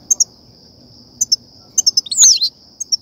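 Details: European goldfinch sound used by trappers to excite and lure goldfinches; short, high, thin chirps in small clusters, with one longer descending twittered note near the end, over a steady high-pitched whine.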